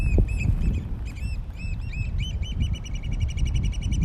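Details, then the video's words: Courtship dance of oystercatchers at Stratford Point Sanctuary, May 4, 2021: loud, sharp piping notes start spaced, then quicken into a fast, even trill, with strong wind noise underneath. "la danza degli uccelli oystercatchers"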